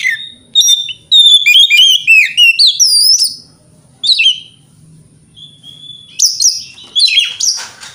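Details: White-rumped shama lure song meant to provoke other shamas: a fast burst of loud, varied whistles and clear swooping notes, a pause with a thin, level whistle, then harsh, scratchy bursts to finish.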